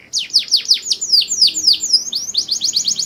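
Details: Canary in mating song, pouring out a series of loud downward-sweeping whistled notes followed by quick rising chirps repeated several times a second.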